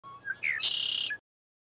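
A blackbird gives a few clear whistled notes, the middle one sliding upward, then a harsh buzzy high trill and one final short whistle, all in about a second.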